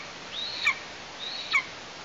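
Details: Nestling Eastern imperial eagle in Tatarstan during an August prey delivery, giving two drawn-out whistles that arch upward and end in an abrupt downward flick.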